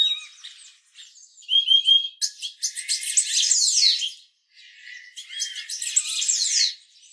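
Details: Purple-throated euphonia: a few thin whistled notes near the start, then two dense bursts of buzzy, scratchy chatter, each about two seconds long, with a short pause between them.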